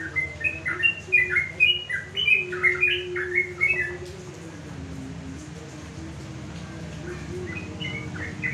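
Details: Sooty-headed bulbul kept on a house terrace, singing in the afternoon to call rivals and set other bulbuls answering; quick bubbly series of short rising and falling whistled notes over four seconds, then quieter notes over steady low hum.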